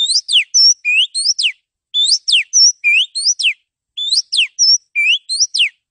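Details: Male Oriental magpie-robin used as a masteran training recording to build and test the toughness of male birds: loud, clear whistled phrases of rising and falling slurs, a short motif repeated three times with brief pauses, no background sounds.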